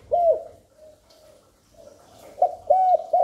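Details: Spotted dove cooing as a lure for wild doves and to stimulate newly kept birds. A single short coo, a pause, then three quick mellow notes that begin another phrase.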